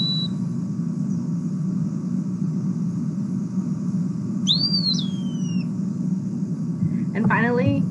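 Eastern Wood-Pewee giving one clear, drooping whistled phrase, a slurred pee-yer, over a steady low room rumble, followed by a brief voice.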